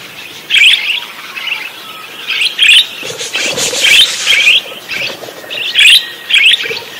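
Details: Chatty, actively singing parakeet giving short bright warbled chirps in separate bursts about every half second to second, some doubled, with quieter squeaky notes between them.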